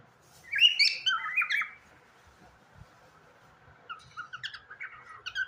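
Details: Cockatiel kept as a pet, singing sweetly: a burst of loud warbled, slurred whistles, a quiet pause, then a quicker string of thin chirps rising in pitch.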